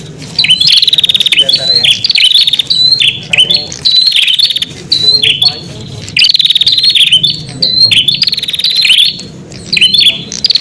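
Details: Prinia call used to attract wild prinias: repeated bursts of high dry rattles and buzzy trills, roughly every two seconds, over a low steady hum.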